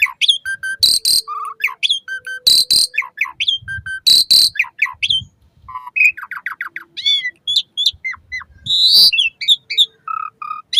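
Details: Lure song of an Asian pied starling for training caged starlings morning and evening: rich, fast sequences of loud whistles, harsh chatter, repeated falling notes, crisp clicks and buzzy screeches, delivered almost without pause.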